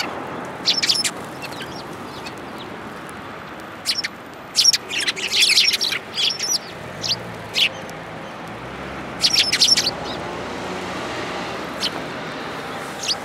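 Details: A group of Eurasian tree sparrows coming to be fed at a Tenmangu shrine on January 19, 2022, calling in short clusters of high tweets separated by quiet gaps, with a faint low rumble in the background.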